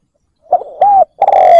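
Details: Spotted dove kept as a decoy to lure wild doves, giving a stuttering soft note, a rounded coo, then a loud, long drawn-out coo that slides gently downward.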